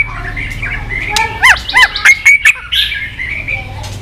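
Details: White-rumped shama calling 'tạch' continuously, used to stimulate weak-spirited birds: a cluster of quick arched whistles and sharp notes midway, with steady low hum behind.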